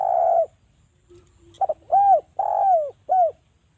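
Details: Spotted dove from Java cooing as a lure to set other doves calling: a long falling coo, a pause, then a quick double note and three arched coos, the middle one longest.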